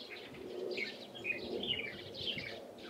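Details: Light-vented bulbuls recorded 16 April 2023, giving bright, slurred chirps and short whistled notes in quick irregular bursts over a soft background hum.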